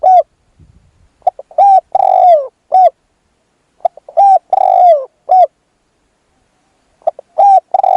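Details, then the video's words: Spotted dove cooing as a decoy for luring a wild bird: three repeated phrases of short hoots leading into a longer downward-sliding coo, spaced a couple of seconds apart, with a faint low thump near the start. "ต่อนกเขาใหญ่ พลาดเฉลยเสียงดีครับคารมสุดยอดครับ"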